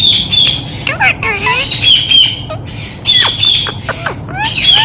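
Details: Ringneck parrot talking, mimicking human speech: raspy, speech-like syllables with sliding harmonic tones in quick bursts, repeated through the stretch, some high harsh squawks mixed in, over a low steady background rumble.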